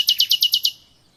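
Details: Common nightingale song fragment: six rapid, evenly spaced high chirps repeated about every tenth of a second, then silence.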